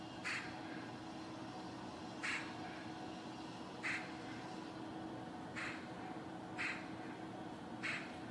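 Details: Eurasian magpie in a spring courtyard where a pair has settled, sounding alert: single harsh, broadband chack notes repeated roughly every second or so, six in all, against a steady background hum.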